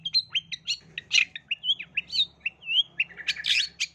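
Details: Long-tailed shrike lure song for young shrikes: a varied medley of whistled slurs, buzzy chirps and harsh notes at a lively, uneven pace, ending in a loud grating burst, with a faint low hum.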